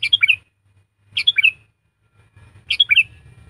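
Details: Sooty-headed bulbul trained as a decoy and tutor for lazy singers, repeating a bright, bubbling three-to-four-note phrase roughly every one and a half seconds, three times, over faint low rumbling.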